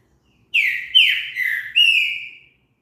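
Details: Green-winged saltator singing to stimulate another bird into song: a phrase of four loud whistled notes, the second swooping downward, the last long and slightly falling, lasting about two seconds in silence.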